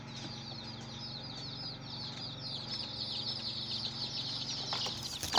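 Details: Hen's chicks chirping: a dense, continuous stream of high, short, falling peeps from many chicks, growing louder toward the end, with a sharp knock at the close and a low steady hum.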